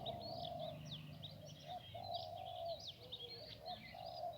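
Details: A soft-voiced wild spotted dove calling near an electric pole, with another bird thought to be a female, answers a decoy dove during trapping in rain, giving low, hollow drawn-out coos while small birds chirp brightly around.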